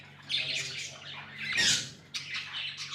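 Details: Budgerigars kept as pets chirping: a few scratchy high squawks, one louder burst midway, over a constant low hum.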